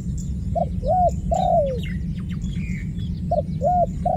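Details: Dove cooing in short phrases: two brief low hooting notes followed by a longer drawn-out croon that slides downward, the phrase starting again near the end, with thin chirps of small birds overhead and a steady low rumble.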